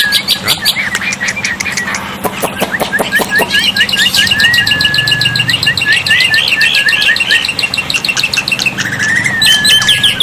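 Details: Master recording of a black-winged myna for prompting quiet birds to sing: quick rhythmic clicks give way to a run of short repeated whistled notes several per second, then a long flat whistle, with splashing throughout.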